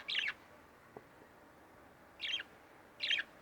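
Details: Pet budgerigars, two kept at home, give three short harsh chirps, one at the start and two close together near the end, with a faint click between.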